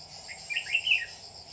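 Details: Red-whiskered bulbul acting as a lure bird for trapping, 27 July 2019, giving one quick rising and falling warbled phrase over a continuous insect hum.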